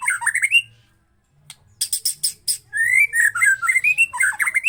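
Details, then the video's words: White-rumped shama singing the 'cess plengg' song used to goad other shamas into singing: slurred whistles, a silent gap, a burst of sharp high clicks, then quick, varied, warbling whistled notes. "PANCING MURAI BATU BUNYI CESS PLENGG!!!"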